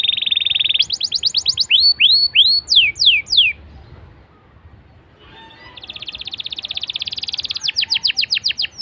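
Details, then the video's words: Canary song played to prompt other canaries to sing: buzzy rolled tone, fast trill, then curved whistled sweeps, a quiet pause, and a rising buzzy trill of rapid repeated notes. "BURUNG KENARI LANGSUNG RESPON GACOR DENGAN PANCINGAN KENARI INI!!"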